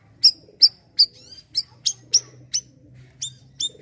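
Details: Bayeman, the Asian glossy starling, calling in 'siri-siri' gacor fashion as a sound for untrained birds: a quick series of shrill, high chips, some drawn into brief downward slurs, against a low hum.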